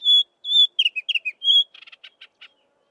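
Chestnut-vented Warbler song: two clear, high whistles, then quick slurred notes, another long whistle, and a closing run of scratchy chattering notes. No other sounds.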